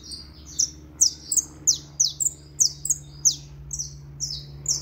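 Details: Canário da terra (saffron finch) singing piercing, high chip notes that fall sharply in pitch, spaced a little under half a second apart, over a faint constant low hum.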